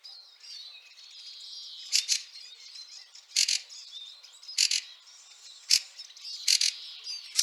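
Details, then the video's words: Harsh paired chack notes from a Fieldfare in snowy Liepāja, Latvia, March 2023. They come roughly once a second or two over a steady background of soft, high twittering. "PELĒKAIS STRAZDS /Turdus pilaris/. 3 daļa. SNIEGS."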